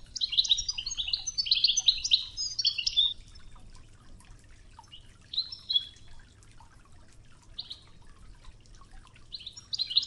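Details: European goldfinch singing a training song in the Oujda style known as Toughza, over the babble of river water; bursts of rapid twittering and tinkling notes fill the first three seconds, then sparser short phrases follow.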